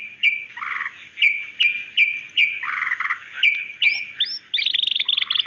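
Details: Female white-rumped shama calling the male, a sharp song used to lure a male into singing: a clear whistled note repeated about twice a second with lower burry notes between, ending in a fast rattling trill.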